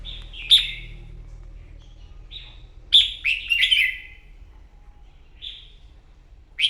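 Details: Morning competitive singing by a wild-caught red-whiskered bulbul during voice training: short, sharp warbling phrases separated by pauses, several bursts clustered in the middle and a final clipped note.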